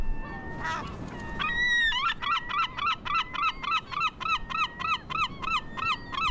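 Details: A herring or great black-backed gull gives its long call, a territorial advertisement signal that broadcasts occupancy and wards off trespassers: a few drawn-out opening notes, then a fast run of loud, ringing yelps, about three per second.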